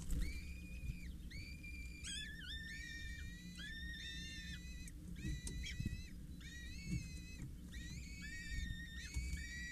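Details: Peregrine falcon young, four chicks of 6-8 days, at a water tower in Scheveningen, 8 May 2023, a parent feeding them: a near-continuous chorus of overlapping high, whistled squeals with bent, wavering notes, background hum throughout.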